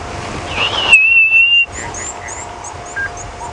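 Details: Violet-backed Starling calls during an afternoon safari drive at Djuma Game Reserve on 26 December 2015: a single gentle, metallic whistle held steady under a second, with a low engine-like hum and faint high chirps behind.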